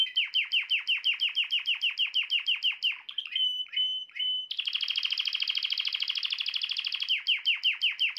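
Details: Canary song said to make a female canary quickly take the mating posture: fast series of downward-sweeping notes repeated several per second, a brief varied middle passage, then a rapid buzzy trill before the sweeping notes return.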